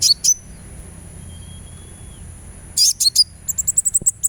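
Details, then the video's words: Sunbird therapy sound to make a bird sing: two high chirps, a long faint whistle, then a burst of sharp chirps followed by a rapid series of tiny, very high ticking notes. "suara terapi kolibri supaya gacor"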